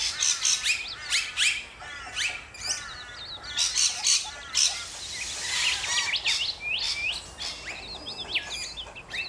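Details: Rainbow lorikeets, Australia: repeated piercing screeches in irregular bursts, mixed with squeaky rising whistles, several birds calling over one another.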